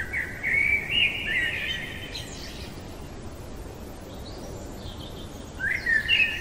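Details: Nocturnal blackbird song: a fluted warbling phrase closed by a high twitter, a quiet gap with faint thin notes, then a new warbled phrase begins. Steady background hiss throughout.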